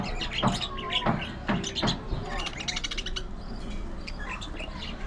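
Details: Budgerigar colony in an aviary, a patter of quick high chirps and squeaky twitters, with low thuds and rustling among them.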